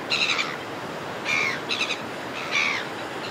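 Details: Close calls from red-billed gulls flying over a cliff top: loud, harsh, nasal squawks in short bursts, some doubled, about four calls in three seconds, with a steady wind-like hiss behind.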